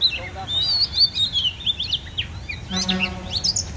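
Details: Oriental magpie-robin, called a warrior bird, singing a rich run of varied high whistles and quick slurred notes, with a brief burst of harmonic notes near the end and low background rumble.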